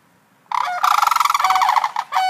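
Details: Sandhill Cranes with chicks in Sarasota react to background sounds with a loud, rolling, trumpeting rattle, a rapid burst of rough pulses lasting over a second, then a brief renewed outburst.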